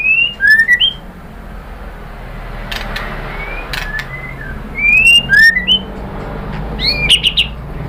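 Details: White-rumped shama singing as a lure meant to make other shamas reply: sparse phrases of sliding whistles and quick flicks, separated by long pauses over a steady low hum.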